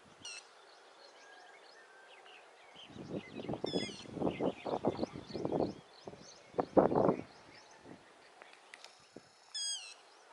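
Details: Yellow-wattled lapwing calling as it runs: three piercing, high calls, two close together early and one near the end, separated by bursts of low rustling and thumping, with quiet chirps of other birds.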